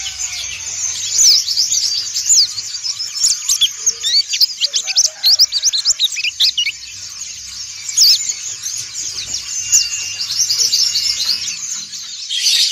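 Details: Many white-eyes of the dakun and montanus types singing together in ngriwik style, used to train white-eyes and to coax silent birds to sing: a dense, continuous chorus of high, rapid, thin twittering chirps and trills with overlapping voices throughout.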